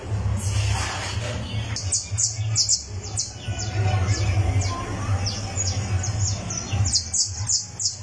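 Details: Criollo canary warming up its song on a tournament perch, delivering dense runs of high, quick chirps in clusters, loudest toward the end, with a constant low droning hum underneath.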